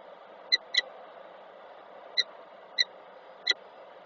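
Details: Peregrine falcon pair meeting at the nest box in Koszalin on 10 October 2024. Five short, bright, harmonic call notes come singly or in a quick double over four seconds, against a steady low hum.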